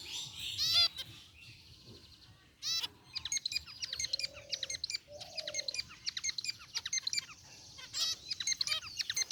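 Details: Group of caged zebra finches in an aviary, white and gray varieties, chirping: a quick burst of high chirps, then many short nasal beeps stacked with harmonics, repeated in loose bursts with a few lower toots mixed in.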